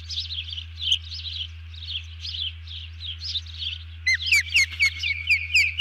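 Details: Bald eagle alerting after grabbing a fish while a second eagle ducks, recorded 31 July 2020 around 04:42: rapid high chattering notes about four per second, ending in sharper, louder descending piercing whistles over a steady low hum.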